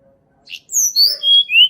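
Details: Natural song of a blood-breasted flowerpecker, used as a lure to get reluctant birds singing: a short faint chip, then four high, thin, sharp whistles in quick succession, each sliding slightly downward.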